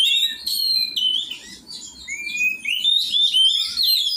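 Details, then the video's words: Oriental magpie-robin during song training, giving a rich, varied stream of clear whistled phrases, some rising and others falling, with brief chattering notes between them and no pause across the stretch. "cara melatih burung kacer"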